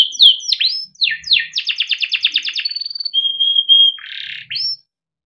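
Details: Caged yellow canary singing long ngerol-style song as a lure for young birds: slurred sweeping notes, a fast rattling trill, sustained flat whistles, one buzzy note, a final upslur, then silence.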